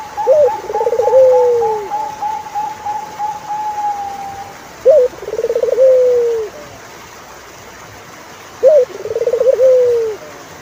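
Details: A turtle dove sings three cooing phrases roughly four seconds apart: a clipped opening note, a pulsed trill and a sliding, falling coo. A long, steady, higher whistled tone runs alongside the first phrase.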